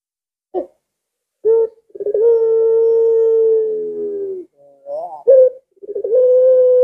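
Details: Collared dove (puter) opens with brief clipped notes, then a long stuttered-onset coo of over two seconds. A short rising phrase and another sustained coo follow.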